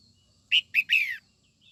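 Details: Female red-whiskered bulbul sings to arouse young males: a rapid three-note phrase of two short chirps and a drawn-out, downslurred warble, lasting under a second.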